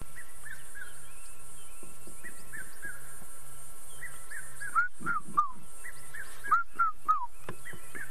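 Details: Red-chested cuckoo gives its three-note whistled phrase, each note falling, twice quickly, over low engine hum and faint bird chirps; hot, humid, muggy late-November summer afternoon on safari, near lions resting in shade.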